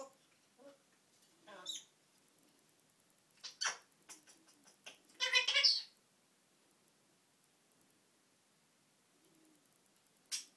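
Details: Chatty pet parrot indoors, letting out scattered harsh, broadband squawks and raspy bursts, a longer noisy run of chatter near the middle, separated by quiet gaps, with one sharp squawk at the end.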